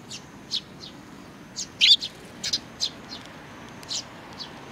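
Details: Sparrows with a chick on 3 July 2019, uttering scattered thin high chirps, one louder doubled note near the middle, against a quiet background.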